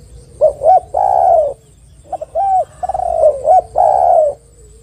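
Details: Two close phrases from a spotted dove used as a lure: short bouncing notes then a sustained, buzzy, gently falling coo, the second phrase with a rapid stutter before it.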